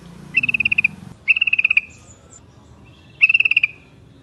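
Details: Yellow-vented bulbul calling as a lure to draw answering flocks: three short runs of rapid, rattling chirps, evenly pulsed and bright, the first two close together and the third after a pause, over low background murmur.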